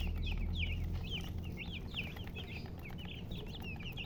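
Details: Chickens, called murgi hens, giving clear high chirps, each a short rising-then-falling note, about four per second, over a low steady hum.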